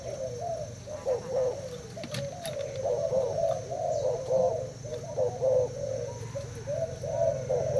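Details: Thai spotted dove in a cage, cooing during a contest with a decoy bird. Overlapping, warbling coos run on without pause over a low background hum, with a few faint clicks.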